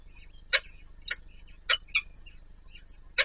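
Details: Peregrine falcon chicks fed by an adult at the Palace of Culture and Science in Warsaw, Poland; harsh broad-band calls mixed with thinner squeaks, five main notes in three seconds, low hum behind.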